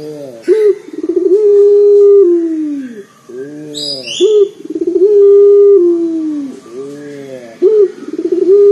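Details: Loud local collared dove used as a lure for other doves, cycling through rolling purrs, sharp rising notes and long low coos several times, with a brief high chirp from another bird.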